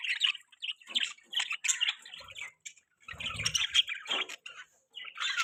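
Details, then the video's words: Budgie giving rapid, scratchy chirps and squeaky twitters in uneven bursts with short gaps; a low rumble sits under the calls near the middle. "Beautiful Budgie Chirping Sounds"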